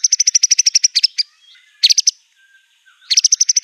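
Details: White-rumped shama singing fiercely in mimicking style, carrying canary, cililin, cungkok and LB kapas phrases: fast regular trills of bright high chirps, a short burst midway, and a final rapid run after a quiet gap.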